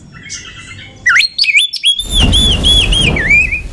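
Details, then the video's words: Oriental magpie-robin, a female lure bird, singing to raise other magpie-robins' excitement. Scratchy notes lead into a sustained run of bright, wavering whistles over a steady, rushing broadband background noise. "KACER EMOSI TINGGI || Pancingan Kacer agar Emosi buat Dongkrak emosi kacer yang kurang sumringah"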